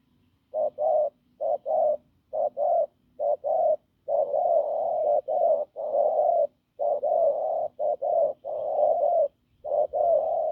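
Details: Wild-caught spotted dove giving a rough, powerful coo. Paired short hoots alternate with long sustained notes in a continuous series lasting about ten seconds.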